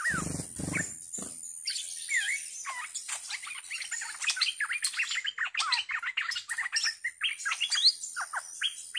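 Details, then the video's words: Decoy bulbul in captivity, described as fierce, recorded 18 July 2021, delivering a fast, lively chatter of warbling and whistled notes with frequent down-slurred and up-slurred phrases, after a brief knock at the start, with a steady high whine. "เสียงนกดอกแตงEp.66 เชลยดุ!! Burung merbah lekir gacor"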